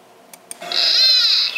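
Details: White-tipped plantcutter in Córdoba, Argentina, feeding on fruits, gives a single drawn-out, nasal, buzzy bleat lasting under a second after two faint clicks. This characteristic song, like a small sheep's, earns it the local name "ovejitas".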